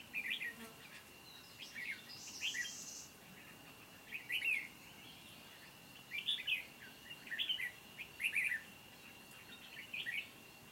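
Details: Red-whiskered bulbul decoy singing competitively to lure wild birds into a trap, recorded 29 July 2020: short warbled, chirpy phrases in bursts every second or two, with a steady insect whine and a brief buzzy insect note early on.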